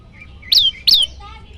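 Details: Prinia (prenjak lumut) giving its loud 'shot' call variations: two loud, sharp notes about a third of a second apart, each dropping steeply from high to mid pitch, over a faint background hum.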